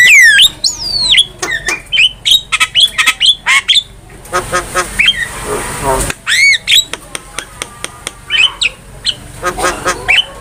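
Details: Javan myna in full gacor song used as training material for caged songbirds: bright rising and falling whistles, clipped chatter and a longer harsh, voice-like rasp midway, then more whistled notes and squawks.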